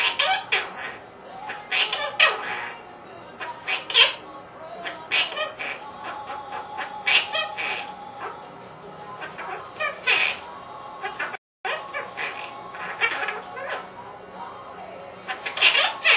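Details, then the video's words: Pet Quaker parrot (monk parakeet) talking about the household's other pets, a mimicked speech-like chatter of short harsh syllables and raspy phrases in bursts, with squeaky chirps between, indoors, one brief dropout near the end. "Quaker Parrot Joe Talking What's Spanky doing"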